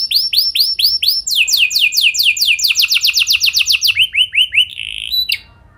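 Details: Canary song played to coax other canaries to sing: arched whistles, a brisk descending-note series and a fast trill, ending in a few separate notes and a short high buzz.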